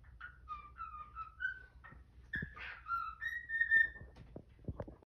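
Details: Morning whistling from a pet cockatiel performing "If You're Happy and You Know It", a Quaker parrot nearby protesting; a sequence of tonal whistles with faint overtones, punctuated by soft clicks and taps.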